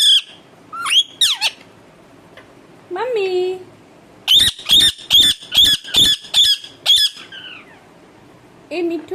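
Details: Pet parrot at home, urged by its owners to talk, gives loud harsh squawks: a few scattered calls, then a rapid run of about eight evenly repeated screeches, with human voices in between.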